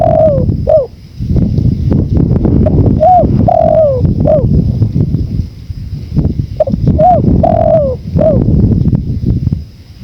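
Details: Repeated spotted dove cooing sequences mixed with strong, continuous wind roar. Short curved notes alternate with longer falling coos in two clear phrases.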